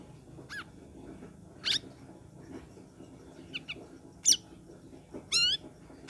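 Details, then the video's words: Used to coax cage birds that have stopped singing, this Sooty-headed bulbul gives spaced, sharp falling notes and a few wavering whistles every second or so over a steady low hum. "KICAU CUCAK RAWIS COCOK UNTUK PANCINGAN BURUNGMU YANG MANDEK"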